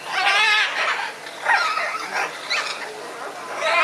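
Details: Scarlet macaws trading views in a squabble: harsh, raspy broadband screeches in rapid bursts, some with banded, buzzy tones, overlapping and pausing briefly between outbursts.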